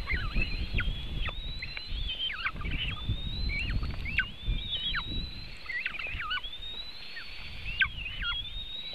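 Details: White-tailed eagle nest in Latvia, 24 June 2018, around 3:23 pm, as the eaglets are fed a huge fish: a steady run of thin, high whistled chirps, some sliding up and some dropping sharply, over a low rumble of wind.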